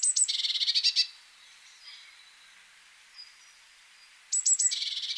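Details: Eurasian blue tit singing over steady background hiss: a rapid, buzzy trill of repeated notes, a pause with faint distant calls, then the high opening notes and trill returning.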